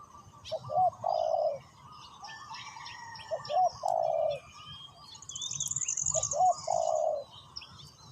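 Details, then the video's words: Spotted dove used as a decoy in ground trapping, calling to lure wild doves: three bursts of deep, mellow two-part coos, each a short double note then a longer hoarse one, about every three seconds, with faint high twittering of other birds. "chim cu mồi gáy gọi bổi"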